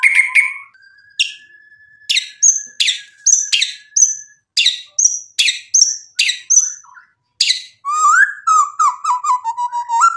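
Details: Caged white-rumped shama singing a varied song: a long steady whistle, then repeated sharp descending notes with high ringing tones, ending in rapid warbled phrases; clean recording with no other sounds.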